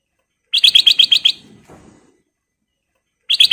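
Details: Sooty-headed bulbul of golden colour, singing lively: a fast run of seven bright, clipped chirps, evenly spaced, then a pause and the run starting again, with soft low rustling between.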